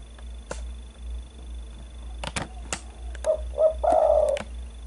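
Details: A spotted dove lure recording opens with sharp clicks and tapping sounds, then the dove gives two short coos and a long, sustained coo near the end.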